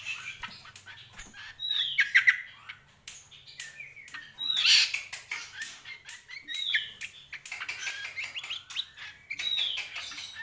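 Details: Greater green leafbird singing actively, giving short bursts of warbled, whistled and chattering notes at mid to high pitch, with brief pauses between phrases, over frequent sharp clicks and tapping sounds throughout.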